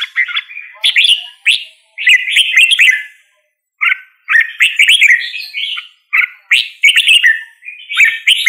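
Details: Lively song of a red-whiskered bulbul, made of chirpy, bouncing whistled notes in quick rolling phrases, with one clear pause midway.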